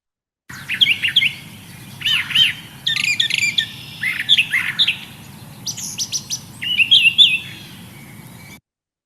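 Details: A Brown Thrasher, an early spring migrant in Kentucky, sings a long string of varied, rich phrases, each given twice in a row, bright and high-pitched, with quiet background hiss.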